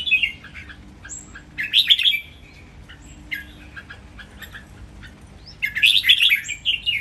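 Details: Three caged red-whiskered bulbuls sing a training song in counted phrases: scattered warbled phrases and high whistled slurs, ending in a loud, fast, tumbling burst of rich notes.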